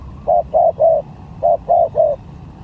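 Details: Spotted dove used as a lure in a singing competition gives two quick triplets of mellow, hollow coos, each set ending on a slightly longer note, over a faint low hum.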